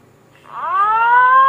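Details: Green pigeon lure call used for trapping and hunting: a single clear whistled note that swells in and rises slightly, then holds steady and grows louder to the end, over a quiet background.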